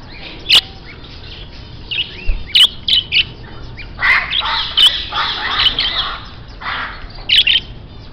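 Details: Grey parrot at a rare-bird dealer, giving a run of harsh, raspy squawks through the middle, with sharp short clicks and chirps before and after, over constant chattering of many small birds.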